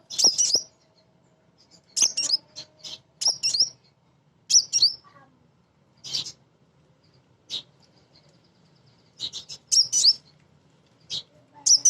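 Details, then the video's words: Female kolibri ninja sunbird, a lure song meant to get other birds singing, with ngriwik and nyrecet chatter. Very high, thin twittering bursts recur about every one to two seconds, separated by short silences, over a faint low background hum. "Kolibri Ninja BETINA Ngriwik Nyrecet Nembak Pancingan Paling Jitu Burung Bahan"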